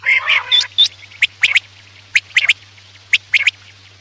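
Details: Quail calls for night hunting: a rough, noisy burst at the start, then short, sharp paired notes spaced unevenly, with a constant low hum underneath.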